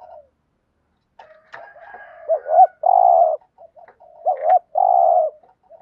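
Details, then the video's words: A caged decoy spotted dove luring wild doves repeats its coo twice: paired short hooked notes and a long steady low coo, preceded by quieter murmuring notes. "tieng chim cu gáy thúc gù, chim cu gáy bài bản giúp bổi nhanh nổi"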